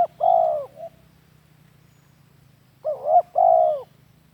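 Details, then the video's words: Spotted dove lure cooing for training captive doves: two phrases about three seconds apart, each a quick double coo followed by a long, loud, slightly falling hoot, in a quiet setting. "Suara Pikat Tekukur cocok jadi Masteran"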